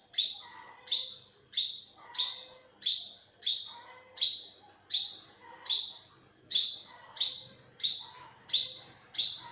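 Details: A steady series of about fifteen piercing, rising chips from an olive-backed sunbird, 2021 recording, coming roughly every two-thirds of a second, each swelling sharply and tapering off, with faint warbling from other birds lower down.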